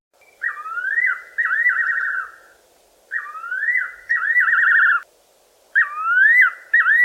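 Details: Fiery-necked Nightjar, a garden bird of the Eastern Cape, South Africa, giving its liquid whistled phrase, a slurred rising note and a quavering trill, repeated three times about every two and a half seconds over a soft hum.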